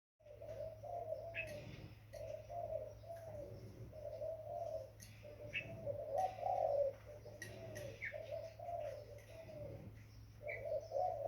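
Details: Young spotted dove giving a long series of low, drawn-out cooing notes, each about a second, with short gaps between them; faint high chirps from other small birds and a steady low hum run underneath.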